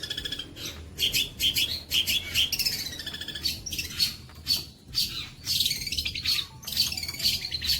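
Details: Long-tailed shrike tutoring song: bursts of quick, high chirps, squeaky notes and slurred whistles, repeated roughly twice a second with short gaps between phrases.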